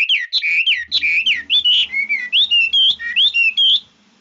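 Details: Red-whiskered bulbul in fine, varied song: a steady series of short, looping whistled phrases, each slurring up and down, delivered about once a second with brief gaps.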